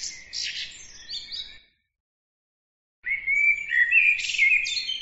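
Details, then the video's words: Bird song heard in two parts: a fading tail of high buzzy trills, a pause of over a second, then a bright, fast warbled phrase of sliding whistles and chirps. "bird عصفور"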